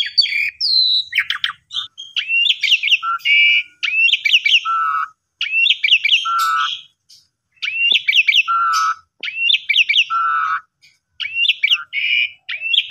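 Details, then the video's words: Asian pied starling lure song for starlings that have stopped singing: repeated phrases of rising chirps and buzzy notes, each ending in a low steady whistle, with short silent gaps between phrases. "Pancingan Jalak Suren Bongkar Isian Gacor Dengan Gaya Mompa Unik"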